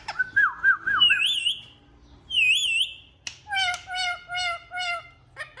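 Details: Captive talking Indian ringneck parakeets give wavy, trilled whistles that rise and fall, followed by five loud, nasal, harmonic squawk-like syllables repeated about every half second.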